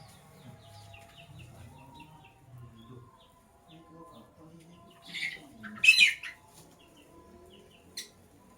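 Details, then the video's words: Lovebirds, Sky Blue Opaline and Cobalt, in the morning: mostly quiet, with faint high chirps in the background, then two harsh, loud squawks near the middle and one short sharp call near the end. "Lovebirds Chirping Sounds"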